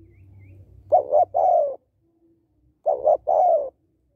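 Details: Female spotted dove (cu gáy) calling to stimulate males, used for training and luring male birds; two low, hoarse cooing phrases, each a quick double note followed by a longer falling coo, separated by a pause of about a second.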